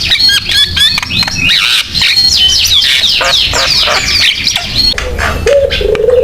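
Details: Javan myna singing energetically, used as a lure and tutor to prompt other mynas to sing; a dense, loud run of harsh squawks, chattering notes and short slurred whistles, ending with a lower sustained nasal tone.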